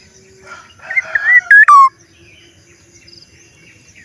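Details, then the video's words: Black-naped oriole's strange sound: a run of soft warbling whistles ends in two loud fluty notes, the final one slurring downward. A little background noise is heard. "kepodang suara Aneh"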